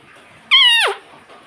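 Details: Pet rose-ringed parakeet that mimics the words "mummy" and "papa": one loud, rich, nasal utterance about half a second long, held level and then dropping at the end, over quiet room noise.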